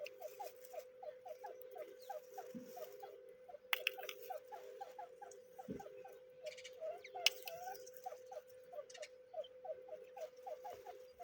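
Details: Young grey francolins peeping in quick succession with brief rising notes, a constant hum underneath and a few knocks and clicks.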